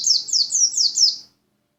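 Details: White-eye from Lumajang giving five rapid, high, descending slurred notes in quick succession, then stopping abruptly into silence.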